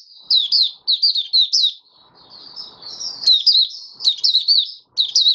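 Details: Lively high twittering song from a kept oriental white-eye, fifth day after deworming, January 2022. Strings of fast slurred chirps run almost continuously, with one brief soft rustle and a sharp tap midway.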